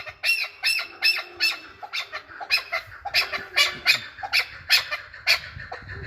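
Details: In Qabodiyon, Tajikistan, a chukar partridge repeats rough, high, grating notes at an uneven pace of about two to three per second, with low background rumble.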